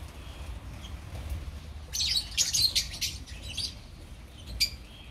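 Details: Colony of opaline lovebirds: a run of rapid, piercing high chirps overlapping for about two seconds, trailing off into softer calls, then one lone sharp chirp near the end over steady low hum.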